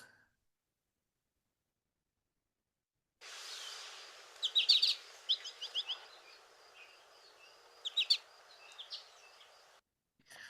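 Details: American goldfinch (Spinus tristis) flight calls: springy, bouncy quick clusters of high, thin notes in three bursts over about five seconds, over a faint steady hiss.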